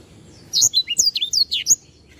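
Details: Black-throated canary, known locally as sanger, in lively tutor song. After a short quiet start comes a quick burst of about a second of high slurred whistles and chirps, then the singing stops.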